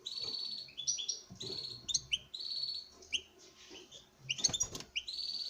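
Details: Male European goldfinch kept for breeding sings before a female: nearly continuous tinkling song of buzzy notes and quick twitters, interrupted midway by a brief rattle of clattering sounds.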